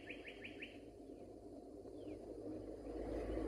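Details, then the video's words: Four quick slurred whistles from a singing northern cardinal on a Florida park boardwalk in Oviedo among cabbage palms, followed by a single longer falling whistle, with steady low rumble behind. "Singing Northern Cardinal"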